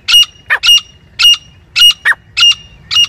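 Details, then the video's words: Female grey francolin calling non-stop in jungle, recorded for hunting: loud, harsh, rhythmic notes repeated about twice a second, with occasional lower, shorter interjected notes between the main strident calls. "Madi ki awaaz Shikar ke liye non stop calling female in Jungle teetar gora teetar francolin"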